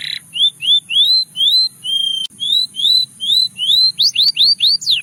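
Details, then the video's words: Song of a Russian singing canary: a brief buzzy burst, then clear upward-slurred whistles spaced roughly three per second, switching near the end to quicker, steeper downward-sweeping notes. "A Special Canary to Seduce All The Canaries - The Russian Singing Canary"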